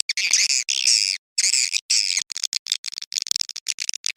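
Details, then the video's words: Dusk mating call of swiftlets, played to lure them: long buzzy twittering bursts at first, then breaking into short, rapid, clipped chirps. "SUARA PANGGIL BURUNG WALET BIRAHI SENJA"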